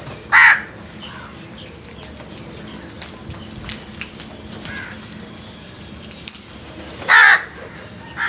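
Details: Frightened crows giving loud alarm calls: two harsh, hoarse caws about seven seconds apart, plus the start of a third at the end, over faint background noise with scattered ticks and clicks.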